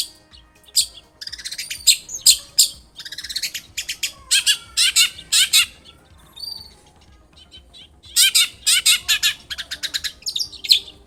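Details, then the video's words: Long-tailed shrike in full lively song, used to coax another shrike into answering: rapid bursts of harsh rasping notes mixed with short chirps and thin whistles, fast chattering runs broken by a brief pause midway. "SUARA cendet gacor INI AMPUH untuk pancingan agar cendet bunyi"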